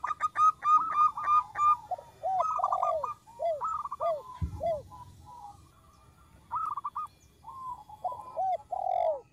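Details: Cooing song of a small-voiced local zebra dove for attracting birds: staccato coo runs alternating with drooping arched notes in a repeated pattern over several phrases, and a single low thump midway.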